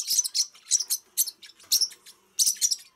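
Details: Bright, high-pitched chattering from Pacific parrotlets, delivered as clusters of quick scratchy chirps, several per second, with short silent breaks between clusters.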